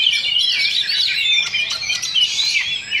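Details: Oriental magpie-robins in a Sunday practice singing contest duel at Sindanglaut: dense, overlapping bright whistles and rapid chirps fill the clip continuously, the high notes tumbling and sliding without pause.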